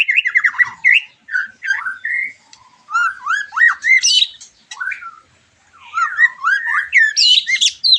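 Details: White-rumped shama song used to make a bird answer after moulting: fast chattering downslurs, squeaky whistles and harsh squawk-like notes in lively bursts separated by short pauses.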